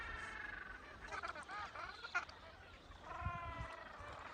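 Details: Several Gentoo penguins on land in Antarctica in March 2025 give harsh, nasal, honking calls with buzzy harmonics in overlapping bursts, over a steady background hiss of wind.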